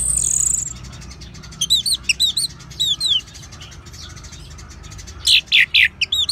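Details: Orange-headed thrush singing in ngeban style as a lure for caged birds: a brief high hiss, then two clusters of looping, rising whistled notes, a pause, and a final loud burst of rich slurred phrases.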